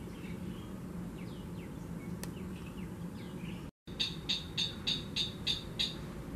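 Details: Slaty-breasted rail (Lewinia striata) feeding on an earthworm in Serangoon Garden, July 2021, gives a quick series of sharp, high clicking notes, about three per second, after faint chirps over a low background hum.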